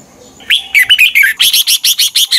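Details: Red-whiskered bulbul heard in a recording for training or exciting caged birds: a warbled phrase of whistles that turns into a quick, regular string of bright repeated chirps.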